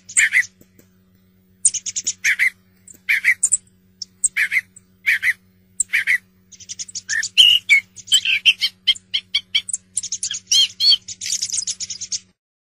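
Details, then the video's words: Song thrush song made of short phrases, several of them repeated, mixing thin high notes with fuller mid-pitched notes, growing into a busy, fast twittering stretch, with a faint low hum throughout. "صوت السمنة المغردة"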